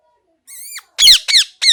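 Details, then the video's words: A parrot calls: first a steady, even-pitched harmonic note lasting a third of a second, then three sharp, downward-sweeping shrieks in rapid sequence, with nothing else audible. "Parrot Chirping Sounds | Natural Parrot Sounds | Parrot Calling Sounds"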